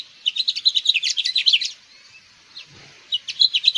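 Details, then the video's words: A house finch (Haemorhous mexicanus) sings a rapid, jumbled warble of bright chirps and slurred notes, pauses about a second, then starts another burst. "Pinzón Mexicano / Carpodaco Canto! Llamado! Cantando! - House Finch Song"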